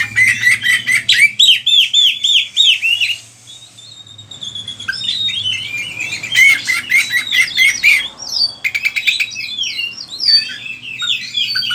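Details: Lively oriental magpie-robin song meant for stimulating and training other birds: quick repeated looping whistles, a quieter pause, then bursts of sharp clicking trills and varied rising and falling chirps.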